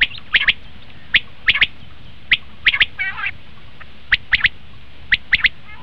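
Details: Common quail call for luring quail when hunting: sharp, clipped notes in groups of two or three, repeated about once a second, with a brief rasping trill in the middle.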